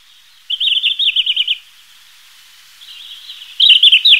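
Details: High, quick, undulating phrase of trilled notes from a red-flanked bluetail, followed by a faint thin warble and the loud start of another phrase, in a quiet setting.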